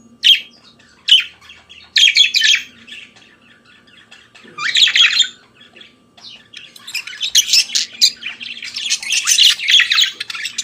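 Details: Budgerigar singing in the morning: scratchy chattering warble in bursts, sharp squawky notes early, then a continuous dense twittering chatter building over the last few seconds; faint low hum underneath.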